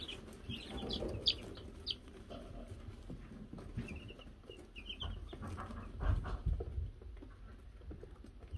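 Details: Baby chickens, Silver Laced, Gold Laced and Gold Laced Blue Wyandotte chicks, kept on a cam after being given a bell, peep in scattered high chirps, a few downslurred notes early and a run near the middle, over low rumbling and knocking noises.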